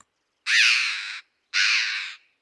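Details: Red-billed chough at Botallack on the Cornish coast, where choughs feed on short clifftop grassland and nest in old mine shafts and cliff crevices, gives two harsh, ringing calls, each about three-quarters of a second, with a short pause between them.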